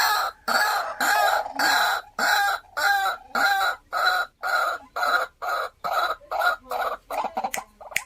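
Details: White-breasted waterhen kept as a caged decoy bird, giving loud harsh croaking notes in a steady series of about a dozen, each roughly half a second long with short gaps, slowing and breaking into shorter clipped notes near the end.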